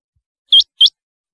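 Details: A single pair of sharp, upswept, high-pitched notes from a rain quail, about a quarter second apart, then silence.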